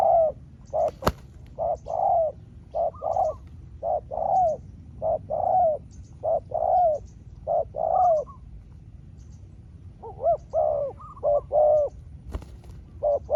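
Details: Spotted dove trading calls with a wild rival that has a smaller voice, the two taking turns. Steady runs of mid-pitched cooing phrases, each a quick rising-falling coo, fill the recording with brief gaps. Two sharp clicks interrupt, over soft low hum.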